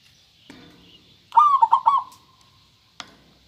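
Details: Local zebra dove with a clear voice delivering a single rolling coo phrase of several quick pulsed notes. Soft knocks and clicks come before and after it, over low hiss.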